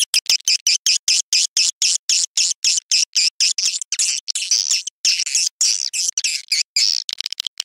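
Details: Swiftlet farming lure call: rapid, evenly chopped high chirps, about four a second, blending later into longer shrill twittering runs.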